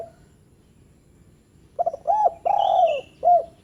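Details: After a quiet pause a spotted dove gives one phrase, used to get lazy doves to call: stuttered notes, an arched coo, a long falling coo with a faint whistle above, and a short closing coo.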